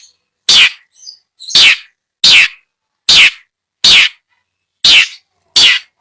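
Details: Long-tailed shrike, a bird chosen for purchase from a seller in Bondowoso, gives seven loud harsh broadband notes, each about a quarter second long, spaced roughly every 0.7 seconds, with faint chirps between.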